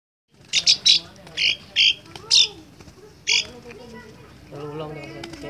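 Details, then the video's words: Young caged Asian pied starling practising its chatter: a string of harsh, buzzy bursts repeated every half second or so, then softer scratchy notes as a man starts talking. "Jalak suren ku si Jabrik belajar ngekek"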